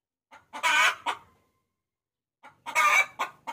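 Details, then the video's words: Hen calling a rooster, used to lure: two loud, harsh squawking bursts, each followed by a short cluck, separated by more than a second of quiet. "Suara Pikat Ayam Betina Memanggil Jantan"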